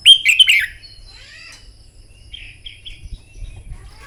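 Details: Red-whiskered bulbul contest song used for morning training to excite birds into singing. A loud burst of three quick, warbling whistled notes opens, followed by softer scattered twitters and low rustling.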